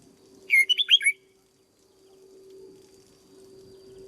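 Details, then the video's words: Red-whiskered bulbul in training as a cage bird, one brief phrase of five rich, slurred whistles early on, then only a low electrical hum. "Cách chăm chào mào căng lửa nhanh hiệu quả nhất, cách dợt chào mào mồi"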